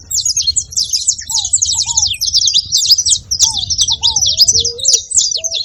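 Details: Saffron finches calling in a dense, nonstop chorus of high, clipped chirps and scratchy notes, with a few lower curved whistles mid-clip and a soft low background hum.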